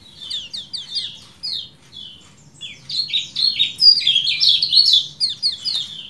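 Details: Kecial kuning, a bulbul, heard on a tutor recording for training cage birds: rapid, high, repeated chip notes, a short pause, then a rich, tumbling run of twittering phrases.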